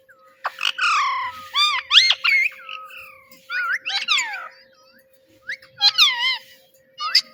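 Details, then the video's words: Playful pet parrot repeating "Mitthu Mitthu" indoors; a steady series of squawky, harmonic, voice-like syllables with rising and falling slides, grouped in short phrases separated by brief pauses. "Parrot Talking “Mitthu Mitthu”"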